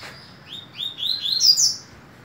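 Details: Double-collared seedeater (Sporophila caerulescens) singing at a song competition, the season's last tournament of 2018: a quick phrase of five or six clear, sweet, upswept notes climbing higher in pitch, with faint room hum.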